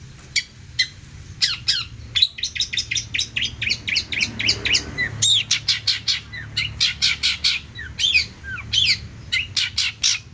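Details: Lively long-tailed shrike song rich in imitated phrases, a model for training songbirds: long rapid sequence of crisp chips and twitters, densely packed, with brief sweeping whistles and a short pause midway.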